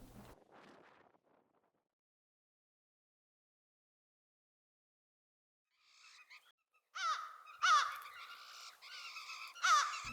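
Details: Blue Jays in snowy winter, chatty and emotional, giving harsh, nasal, downslurred calls about once a second after a quiet stretch, with a faint low murmur at the start.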